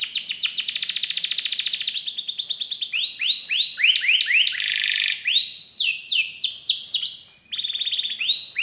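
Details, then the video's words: Kenari in gacor form, with cengkok turns and rich isian fills: a fast dense trill opens, then varied looping whistles, a harsh buzz, steep falling sweeps and another rapid trill, all high and clear. "KENARI GACOR CENGKOK ISTIMEWA,ISIAN MEWAH"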